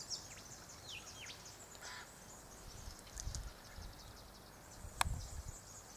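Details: White-winged Choughs (Corcorax melanorhamphos), bathing and drinking together at a birdbath under an Aleppo pine in great heat, give a few quick, descending whistles near the start over a constant high chatter and low rumble, with a sharp knock near the end.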